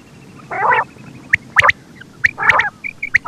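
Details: Quail calling: a harsh, grating burst of raspy notes, then short, sharp, clipped pips in quick pairs and triples, with a quieter steady ticking in the background.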